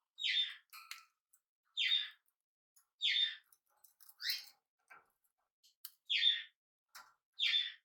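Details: Hand-reared tame budgerigar, first day at home indoors: sharp chirps repeated roughly once a second, each a bright burst, with faint clicks and scratchy small noises between them.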